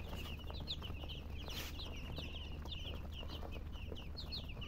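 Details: Baby chicks chirping together: rapid, high, downward-slurred peeps overlap throughout over a constant low hum, with a brief hissy burst early on.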